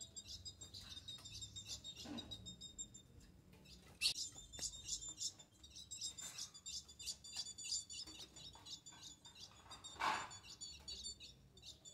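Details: Eight-month-old female ultramarine grosbeak soliciting mating, giving dense runs of sharp, high-pitched chips repeated many times a second in near-continuous series, broken by a few louder clicks and knocks in the background.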